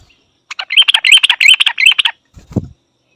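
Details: White-faced bulbul calling in a loud, sharp, metallic series of high chirping notes, rapid and slightly uneven for about one and a half seconds, ending in a low thud.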